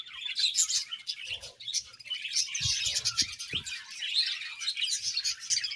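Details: Budgerigar breeding pairs chirping: an unbroken stream of rapid, high twittering and warbling, with a few dull low taps in the background.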